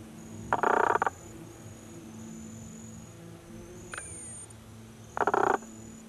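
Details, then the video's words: Squirrel cuckoo (Piaya cayana macroura) in Iguazú National Park, Misiones, in May 2018, gives two harsh, rasping bursts about half a second long, roughly four seconds apart, over a thin high insect whine. "TINGAZU (Piaya cayana macroura)"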